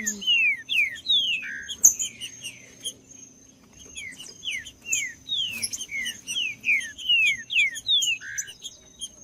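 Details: Green-winged saltator (trinca-ferro) song aimed at rousing a cold bird. Quick falling whistles open the passage, then a pause, then a dense run of similar notes with a short low tone near the start.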